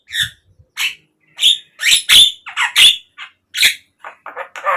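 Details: Javan myna (jalak kebo) song meant to stimulate caged birds: separate harsh squawks and rasping whistles spaced irregularly, growing denser toward the end.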